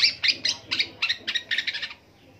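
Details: A long-tailed shrike mimicking various birds: about eight harsh, rasping notes repeated several times a second and run together toward the end, then falling silent.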